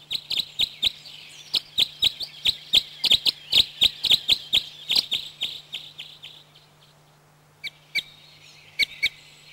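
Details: Red Crossbill in Corrèze, France: a rapid series of sharp, clipped high notes, about four per second for six seconds, then a pause and a few scattered calls, over a steady low hum.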